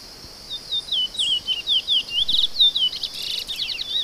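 A chestnut-bellied seed finch sings a fast run of clear, sweet whistled notes, each slurring downward, over a steady high insect hiss.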